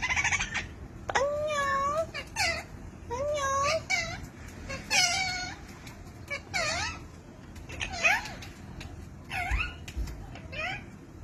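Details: Pet blue Indian ringneck parakeet, a talking parrot, giving a greeting: a string of short, curving, whistled and squeaky talking phrases, some in quick pairs, spread across several seconds with short pauses indoors.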